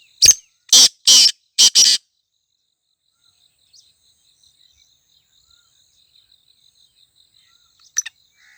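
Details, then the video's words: Kala tetar, the black francolin, in jungle: four loud, rasping notes delivered rapidly over two seconds, then near silence with faint thin background chirps and one brief distant note near the end. "Kala tetar / black francolin /sound in forest / tetar sound in jungle"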